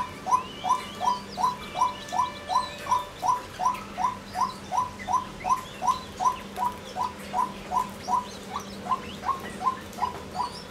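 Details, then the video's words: Female white-breasted waterhen calling: a short, sharp note repeated very regularly, about every third of a second, over a faint steady low hum. "Cuốc Mái Kêu | Tiếng Chim Cuốc Mái"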